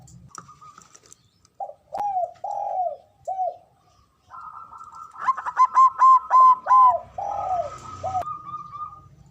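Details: Male zebra dove giving the ngoar manggung call, used to stimulate mating arousal: clustered, short cooing notes that curve downward, with a steadier, higher sustained tone running through the middle of the sequence.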